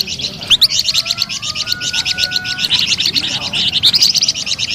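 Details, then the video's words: Sweet flamboyan bird song: a continuous, rapid series of high repeated chirps, with a few faint thin tonal whistles in the background. "SUARA MERDU DAN GACOR BURUNG FLAMBOYAN"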